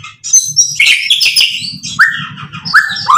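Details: White-rumped shama in lively full song, with varied mimicked song content, used to provoke rival shamas into answering. Loud, fast, varied phrases: bright high whistles, buzzy trills and repeated rising slurred notes, over a low pulsing hum.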